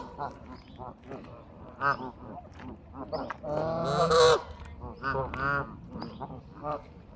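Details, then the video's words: Geese at Bramhall, England, giving loud nasal honks and shorter calls amid a busy chorus of other geese, with a single long blaring honk near the middle. "Goose birds"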